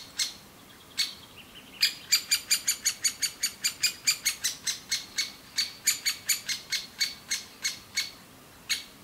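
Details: Nestling great spotted woodpeckers in a tree cavity in an old aspen call nonstop for food from their parents; sharp high chirps, first spaced, then a rapid even series of roughly three per second.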